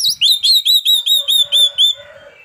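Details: Oriental magpie-robin at midday, singing 'ngeplay' as a lure song: a clipped run of about eight loud, even, ringing chip notes in two seconds, fading into a soft low warble.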